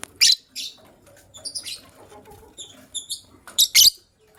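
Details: Chirping lovebirds in the morning, a gray one ready to lay eggs and a yellow-green one: sharp shrill squawks open and close a run of quick, ringing high chirps repeated in pairs.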